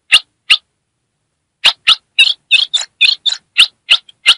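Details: Northeastern female ultramarine grosbeak chattering to arouse a male: a pair of sharp chips, a pause, then a tight sequence of rough, buzzy notes ending in clear chips, in a quiet setting.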